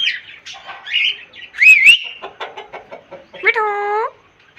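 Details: Pet green parrot talking, a run of chattering, speech-like syllables followed by a loud, drawn-out harmonic note that bends down and back up near the end; no other clear sounds.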